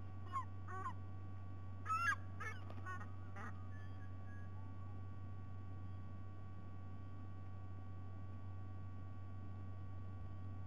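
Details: White-bellied sea eagle at Sydney Olympic Park, Australia, filmed by a nest camera while intruders are present and live fish is brought for breakfast: loud honking, goose-like notes in two short bursts over a steady low hum.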